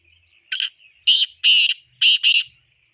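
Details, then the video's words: Male black francolin calling: five harsh, grating, buzzy notes in a short series. A single note comes first, then two closely paired notes, then another pair. A faint steady whistle-like tone runs underneath in an otherwise quiet background. "Teetar voice male | Teetar voice for hunting Teetar sound | Black froncolin voice"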